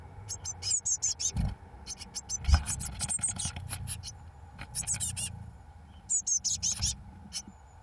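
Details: Eurasian blue tit chicks on day 21, 1 June 2012, as the first two fledge: bursts of high, thin, rapidly repeated squeaky calls, with dull scraping thumps and bumps throughout.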